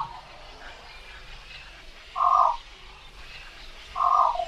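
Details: Javan pond heron uttering two hoarse, nasal croaks about two seconds apart over a steady hiss of background noise.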